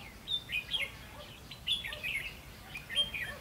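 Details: Red-whiskered bulbul during trapping with a decoy, October 2016: three short, lively phrases of clear, warbling whistles with sliding notes, each about half a second long and spaced roughly a second apart, against quiet background hiss.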